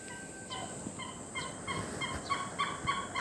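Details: Great hornbill, Assam, India: rapid, repeated, throaty notes that become denser and louder in the second half, with background noise and faint low thumps.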